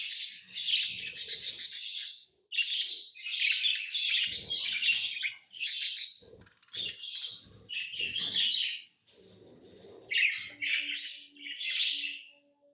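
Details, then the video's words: Chattering pet lovebirds: clusters of piercing, rasping chirps separated by brief gaps, a faint steady hum and soft knocks in the background. "Love birds Sounds | lovebirds chirping sounds"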